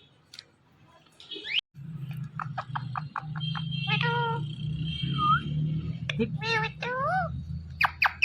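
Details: A talking Indian ringneck parrot (rose-ringed parakeet), a green pet parrot, chatters "mithu mithu" in nasal, speech-like syllables mixed with short squeaky notes, over a steady low indoor hum.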